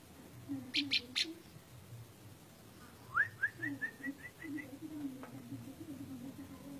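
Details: Orange-spotted bulbul: three sharp scratchy bursts, then after a pause a quick chain of short upslurred whistles about four per second, over low murmuring background noise.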